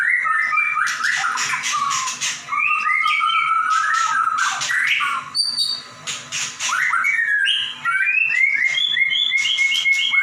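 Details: A white-rumped shama delivers vigorous 'gacor nembak' song, with loud whistled notes, sliding slurs and scratchy rattles in quick, irregular phrases and a few brief gaps.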